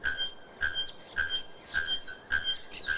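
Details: Bare-throated bellbird, known as araponga or ferreira, giving its loud, shrill song: sharp metallic clanking notes struck about every half second, six strikes in a row, each with bright ringing overtones over a faint hiss.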